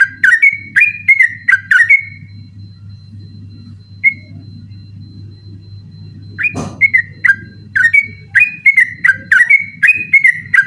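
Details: Yellow-vented bulbul singing persistently at night in rapid 'ropel' style, kept as a tutor song for birds. Bursts of quick bubbly whistles are separated by a pause with one lone note and a sharp knock, over a steady low hum.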